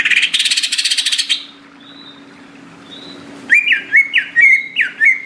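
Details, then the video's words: Greater green leafbird song: a rapid buzzy rattle, a pause with faint thin whistles, then a run of five loud looping whistled notes, each dropping and rising, about a third of a second apart, over a steady low hum. "cucak ijo gacor"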